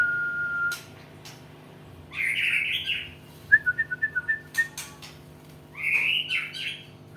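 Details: White-rumped shama developing its song: a steady whistle, a buzzy warbled burst, a rapid series of about eight short chipping notes, then another rich warbling phrase, with a faint background hum.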